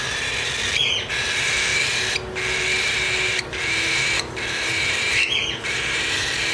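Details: Four-week-old cockatiel chicks crying for food give harsh, raspy, buzzing begging calls, nearly continuous with brief pauses between bursts.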